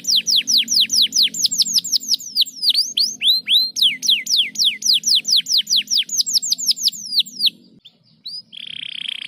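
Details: Canary singing to encourage lazy canaries: a fast run of sharp downward-sweeping whistles, changing into rising slurs, then a brief pause and a buzzy trill at the end.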